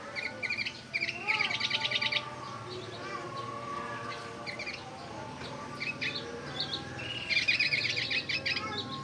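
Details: Oriental white-eye imitating a bulbul, giving two dense bursts of fast high chirps separated by quieter scattered notes over a steady background hum.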